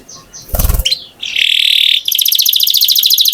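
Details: A brief noisy burst opens, then a canary holds a level buzzy tone before breaking into a very rapid, high rattling trill.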